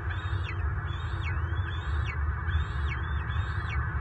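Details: Bald eagle at a southwest Florida nest, March 24, 2023, while the resident male and an intruder adult fight; five high, squealing whistles, each rising slightly then slurring down, spaced under a second apart, over low rumbling noise.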